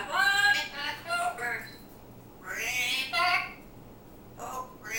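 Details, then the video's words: Pet African grey parrot talking indoors; several harmonic, voice-like mimicked phrases in short bursts separated by pauses, with a low steady hum in the background. "African Grey, Conversation and Song"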